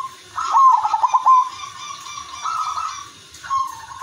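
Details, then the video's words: Silver udanmas zebra dove singing as a lure to set off other doves: a quick bubbling run of pulsed coos followed by long even ringing notes, with a soft low rumble underneath. "perkutut udanmas silver gacor irama merdu jadi pancingan semua perkutut"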